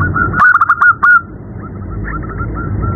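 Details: Night call of a female zebra dove summoning a male: a loud burst of rapid, rolling staccato coos, followed by softer scattered coo notes trailing off over constant low rumbling noise.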